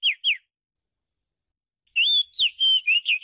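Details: Thai decoy recording of an Oriental magpie-robin singing: two short slurred whistles, a brief silence, then a rapid string of bright whistled notes, one held longer and flat, with no other sounds.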